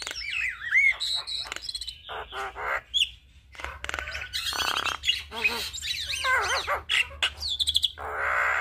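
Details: Lively Javan myna song for tutoring and luring all kinds of starlings: a long varied medley of wavering whistles, harsh scratchy bursts, squeaks and warbled rolling notes with short pauses between phrases.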